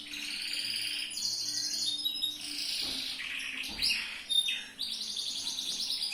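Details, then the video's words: Yellow canary singing in the loper style, recorded as a tutor song for training other birds: rapid buzzy trills and rolling phrases shift between pitches, with sharp high sweeps near the end and a faint steady low hum. "MASTERAN BURUNG KENARI/LOPER/JOS"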